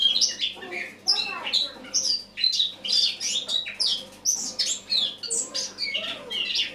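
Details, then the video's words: Eurasian blackcap singing on an autumn morning, 1 October 2017: a long, busy subdued warble of rapid chirps, squeaks and chattering notes, rising and falling in bursts. "Осеннее пение славки-черноголовки (Sylvia atricapilla)"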